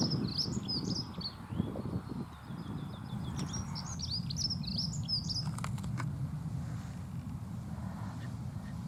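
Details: Dunnock song: quick, jingling high-pitched warbles in two bursts of about two seconds each, over a constant low hum, with a few sharp clicks near the end.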